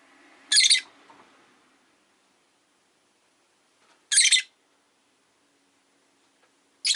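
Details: Pet rosy-faced lovebird on a calm afternoon makes three loud, shrill chirps spaced about three seconds apart, over a faint low hum of street noise.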